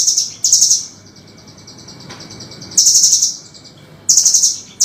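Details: Master recording for training songbirds of a velvet-fronted nuthatch: quick, shrill, chattering bursts separated by a pause of over a second, with faint fainter notes trailing after each burst.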